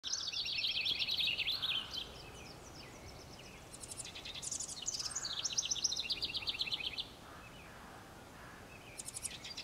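House Wren giving rapid bubbling, chattering song bursts of about two seconds each, high and tumbling, with short pauses between and a faint background hiss.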